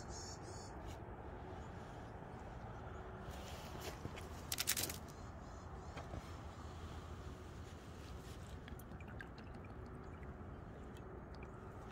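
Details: Steady low rumble of outdoor background noise with a few soft clicks and a brief rustling burst, and no clear animal calls.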